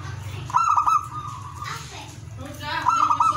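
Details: Zebra dove cooing, presented as song to stir breeding desire in other doves: two bursts of rapid, pulsed, mid-pitched cooing notes, the first trailing into a level drawn-out tone, over a steady low hum.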